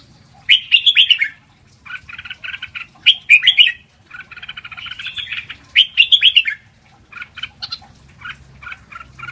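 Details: Training song of a Red-whiskered bulbul, lak wai style, for teaching young birds: loud fluty warbled phrases come about every two and a half seconds, linked by rapid chattering notes, over a quiet background.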